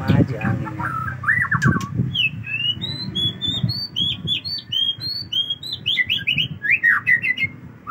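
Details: A caged white-rumped shama delivers an extended song, starting with a rapid trill, then a long run of bright, high whistled notes that rise and dip in quick succession, over a low background rumble.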